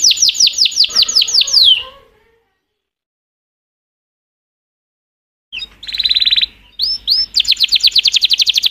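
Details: Canary song opening with a fast run of falling whistled sweeps, then a long silence of over three seconds, then buzzy notes and a rapid high trill resuming.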